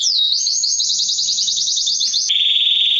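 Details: Singing male canary, played to prepare females for mating and to coach young singers: a rapid chattering trill of short high notes, then a lower, steady buzzing roll.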